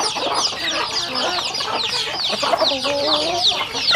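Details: Rural home chickens eating: a dense flock chorus of thin, high, downslurred chick peeps overlapping continuously, with lower clucking notes and soft pecking clicks underneath.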